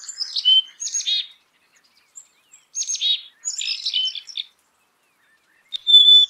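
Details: Black-capped chickadee making several short bursts of high chips and rough buzzy notes, separated by clear silences, closing with a thin steady whistled note; a clean, close recording with no background noise.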